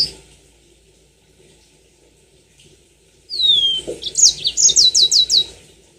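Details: After three quiet seconds, a Yellow-fronted canary bursts into a rising whistle followed by a fast, evenly spaced series of high downslurred notes, a lure meant to get birds singing long rolling song.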